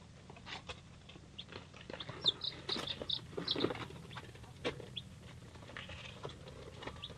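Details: Mixed-breed chicks, three days old, including Polish, Leghorn, Rhode Island Red and Cochin, make thin high peeps clustered mid-recording, with scratching, rustling and clicking sounds throughout.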